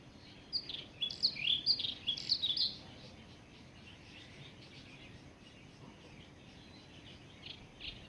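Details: In the morning, an Indian chat sings a brisk burst of sweet, high warbled notes for about two seconds, then a few faint scattered chirps over a quiet rural background.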